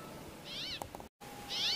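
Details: Brambling calling its mates: two nasal, wavering, slightly buzzy calls about a second apart, high-pitched and mewing, with a few faint clicks between them.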